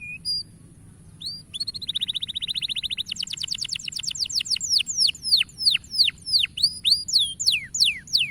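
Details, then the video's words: Canary song played to stimulate young canaries to sing: a few thin whistles, then a fast buzzy trill, then a long series of loud, high, sharply falling notes repeated about three times a second. "Cuitan Burung Kenari Memberi Semangat Kenari Paud Untuk Gacor Dor"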